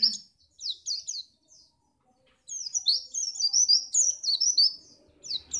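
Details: White-eye from Pacitan, its song played to make other birds sing for contests: rapid high twittering phrases, a short burst, a pause of about a second, then a long run of fast, chattering notes.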